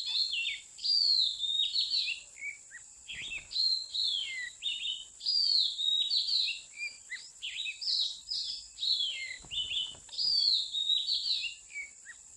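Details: Wild Oriental magpie-robin (Copsychus saularis) at a mountain bird trap, song: a rich, varied run of clear whistles and sliding notes in quick phrases, over a steady high insect drone.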